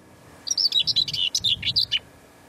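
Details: Common Whitethroat, a small warbler, singing on the north Pembrokeshire coast, Wales: one hurried, scratchy warble about a second and a half long, a jumble of dry, high chattering notes, in a quiet setting.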